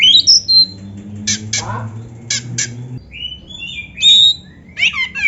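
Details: Oriental magpie-robin (kacer) singing a full-fill-in training song with canary phrases mixed in: sharp high whistled notes, harsh rasping bursts and twittering trills in short separate phrases over a steady low hum.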